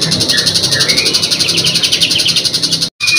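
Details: Long-tailed shrike, locally called pentet macan or cendet macan, singing actively as a training recording for other birds, with magpie-robin phrases as filler: quick high chirps and rising whistled notes over a steady pulsing electronic-sounding background.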